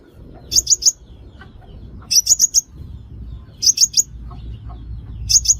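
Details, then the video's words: Sunbird calls used as a lure to draw birds into traps: short bursts of three to four thin, high chirps, repeated about every one and a half seconds over a low background rumble. "Tiếng chim hút mật kích bẫy mồi"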